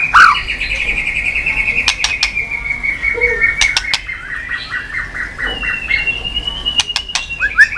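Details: White-rumped shama tail-flicking on a cage perch floor: a long, thin, steady whistled note with soft stuttering notes beneath it, broken by sharp clicks and ending in short rising chirps.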